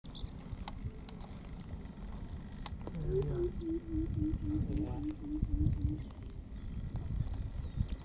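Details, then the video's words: Blue-headed coucal (Centropus monachus) at Mabamba Wetlands, Uganda, in September 2022, giving a quick bubbling run of about a dozen low, hollow hoots that drop then level off, over low rumbling noise and a steady high whine. "The blue-headed coucal (Centropus monachus)"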